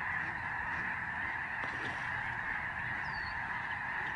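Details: Lesser Snow Geese, thousands in a large migrating flock in the sky over the George C. Reifel Migratory Bird Sanctuary, Canada, November 2011: a dense, continuous chorus of overlapping honking calls with no pauses.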